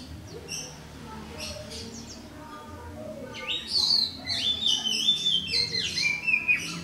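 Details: Oriental magpie-robin (white-bellied form) singing alone in the morning. Faint chirps at the start give way to a loud run of whistled, warbling phrases that rise and fall from the middle onward, over a low background hum.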